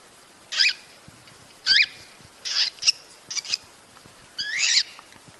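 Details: Cockatiel calls from a breeding-stimulation recording: five harsh, high, raspy screeches spaced irregularly, the last one longer and wavering, over a steady background hiss.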